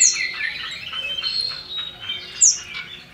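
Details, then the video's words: Common iora (cipoh), male and female, a female calling to males, played as a lure. Two very high falling squeaky notes frame a buzzy, chattering stretch of overlapping chirps. "Cipoh Jantan & Betina Sirtu Jantan 100% Nyaut"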